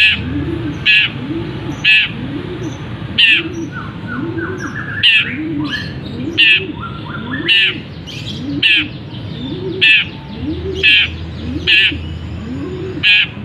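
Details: Long-tailed shrike kept in a cage, singing with imitations of canary, sparrow and kapas tembak; sharp, harsh notes burst out every second or so between fainter twitters, while soft low cooing repeats steadily underneath.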